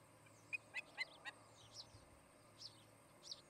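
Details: Osprey pair at their nest near Charlo, Montana, filmed by a nest camera on 17 August 2018 in the afternoon: a string of short, sharp whistled chirps, some rising and some falling, spaced irregularly, over a faint steady hum.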